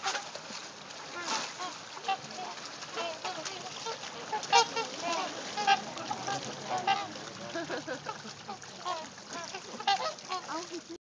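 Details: A flock of trumpeter swans in Arkansas gives overlapping nasal, honking calls, loud bursts rising and falling amid a steady background chorus.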